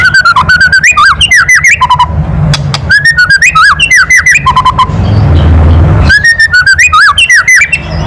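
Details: Loud kretekan of a white-rumped shama, used to rile other birds into singing: rapid rattling note series mixed with looping whistled phrases, delivered in three dense bursts separated by short pauses.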